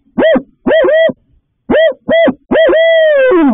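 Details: Barred owl at its nest box, female incubating two eggs, March, night, calling in a vocal exchange; loud, rich hoots rising and falling in short bursts, ending in a long drawn-out descending note.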